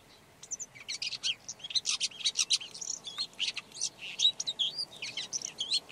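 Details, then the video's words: Red-backed shrike (Lanius collurio) song: a quiet, scratchy, rambling warble of high chattering and clicking notes mixed with brief thin whistles, almost without pause. "Red backed Shrike · Lanius collurio - song"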